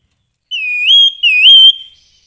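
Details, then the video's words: Grey-headed babbler in full song: two clear, loud whistled notes, each dipping then sliding upward to a sustained higher tone, delivered back to back in a quiet setting. "Kicau Burung Tepus Kepala Kelabu Gacor"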